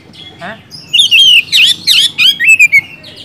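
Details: Oriental magpie-robin (kacer) singing vigorously to stir reluctant birds into song; varied whistled phrases slide up and down, mixed with rasping bursts, delivered rapidly with little pause.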